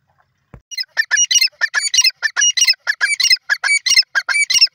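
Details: Grey francolin calling loudly: harsh, strident, squawky notes run in a fast, somewhat uneven series for about four seconds, each burst bright and ringing, with a quiet background.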